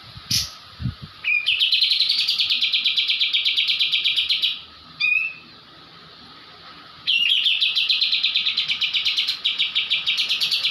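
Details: White-eye song from Java, a training recording for songbirds in full 'ngebrem' style: long rapid buzzy trills of repeated high notes, two extended bursts separated by a short chirp and a quiet gap.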